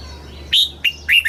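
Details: Red-whiskered bulbul from Thailand, southern master style song for stimulating caged birds and teaching young: three short clear whistles, the first high and sliding, the next two dropping.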